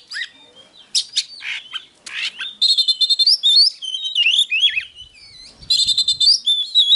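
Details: Oriental magpie-robin singing in the 'hót déo' style, a file meant to stimulate birds to fight; loud, high, varied whistled phrases with rapid rising and falling slurs, early harsh buzzy bursts, then dense sweet warbling runs with brief pauses.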